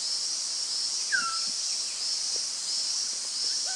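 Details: One clear descending whistle from a Rusty-naped pitta, Doi Inthanon, Chiang Mai Province, then a few faint, thin notes later, all under a dense, high-pitched buzz of insects.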